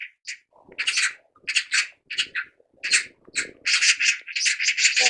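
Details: Chatty magpies give loud grating chacks in short runs, spaced by gaps, then an unbroken rattling stretch near the end; faint low scuffing in the background.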